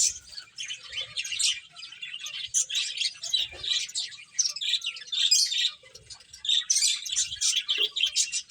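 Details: Several playful finches utter quick, high chirps in uneven clusters. Busier stretches alternate with short lulls, and faint low taps can be heard now and then.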